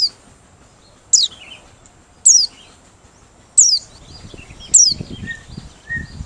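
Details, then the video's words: White-eye from Merapi, a bird used as a lure: single sharp, very high notes dropping steeply, about one every second, with faint softer chirps in between. "Pleci Merapi Ngalas Losssdol,cocok buat pikat~pancingan || Buka Paruh"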